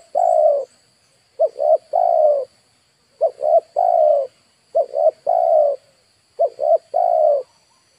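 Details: Spotted dove kept as a lure for wild birds. Its soft cooing comes in repeated phrases of two clipped notes and one sustained coo, about four full phrases after a trailing note at the start. A faint high hum runs behind.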